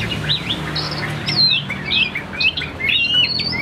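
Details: Chinese hwamei of the tam hoàng type, kept caged, sings jerky slurred whistles, some swooping down, others zigzagging up, in an uneven but continuous flow over a soft hum.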